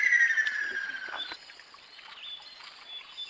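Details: Ruddy kingfisher calling: a loud, descending trilled call that slides steadily down in pitch over about one second, then fades. Faint rural background noise follows.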